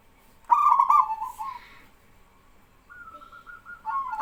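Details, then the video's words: Local male zebra dove (perkutut) singing actively, prompting other doves to answer: a loud burst of rapid stuttering coos near the start, then softer rolling coos after a pause, another bird's fainter replies overlapping. "BURUNG PERKUTUT LOKAL JANTAN GACOR BIKIN PERKUTUT BAHAN IKUTAN BERSUARA"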